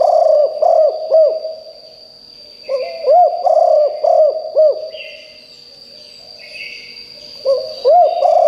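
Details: Spotted dove kept as a decoy to lure wild doves, giving three phrases of deep, bouncing coos separated by pauses; faint higher chirps from other birds and a steady electronic whine in the background.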